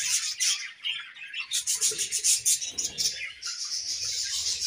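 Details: Feeding budgerigar colony chirping continuously, a dense high chatter of overlapping scratchy notes with a run of rhythmic pulsing chirps in the middle.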